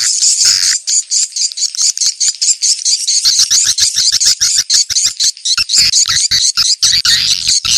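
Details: Swiftlet lure call of the "ceklok" type, played to attract swiftlets quickly and gather them, used to check a site before building a nesting house: dense rapid high-pitched chattering clicks and twitters, loud and continuous.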